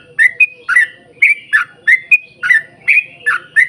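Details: Yellow-vented bulbul singing a long, lively run of song used to lure other bulbuls into singing: bubbly, gurgling whistled notes repeated in quick irregular bursts, some notes sliding up or down, with faint background hum.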